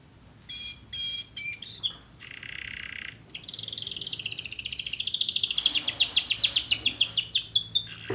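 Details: Gacor canary singing as a lure to start reluctant canaries singing, with scattered short notes at first and then a sustained, accelerating high rolling trill building in loudness.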